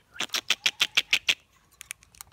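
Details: Common myna, from a talking contest pitting new against old birds, produces seven evenly spaced hard clicks in just over a second, then a scattered sequence of softer ticks.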